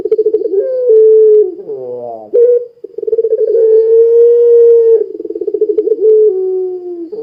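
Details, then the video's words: Long-cooing pelung Barbary dove singing vigorously to trigger other doves: rolling pulsed phrases alternate with held low hoots, a buzzy falling slur, and a long steady hoot of about two seconds, ending in more throbbing and a falling note. "Suara Burung Puter Pelung Gacor Sangat Ampuh Menjadikan Puter Lain Ikut Bunyi"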